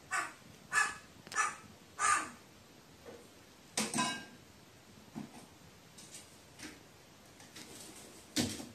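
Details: Crow said to be trembling with fright, talking to itself on 15 May 2018: a rapid run of four rough caws, then a pair of louder calls and scattered softer grunting notes, ending on one more caw.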